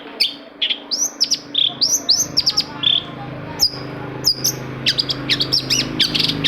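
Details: Long-tailed shrike singing, used as a lure to get silent or reluctant captive shrikes to sing. Rapid sharp whistled notes and chirps, some sweeping upward, some dropping, in quick irregular bursts with a low steady hum beneath.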